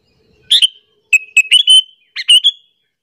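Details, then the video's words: Sooty-headed bulbul lure call, used to provoke rival bulbuls: three quick bursts of bright, slightly slurred chirping notes within about two seconds. "AMPUH BANGET suara panggilan burung kutilang alasan untuk pikat"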